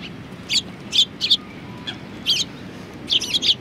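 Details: Group of sparrows at a Tenmangu shrine, Japan, on 23 January 2019, giving short sharp chirps singly and in pairs at irregular intervals, some clustered in quick triplets, over a low steady background hum.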